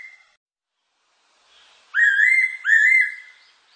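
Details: Fairy pitta song, 2020: after a faint short note, a loud pair of whistled notes, each sliding up then leveling off, the second following closely on the first, in a quiet background.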